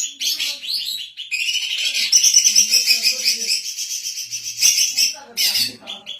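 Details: Female greater green leafbird singing continuously, used to train other birds and as a lure; a long, dense, high twittering stream of rapid chirps and trills with barely a pause.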